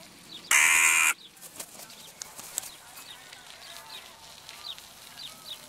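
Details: Single loud, harsh caw from a crow in the evening, lasting about half a second, followed by soft high chirping of small birds and faint background rustle.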